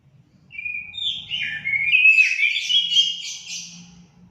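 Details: Song of an orange-headed thrush, used to prompt pet birds into singing; a rich, varied warbling phrase of slurred whistles and quick twittering notes lasting about three seconds.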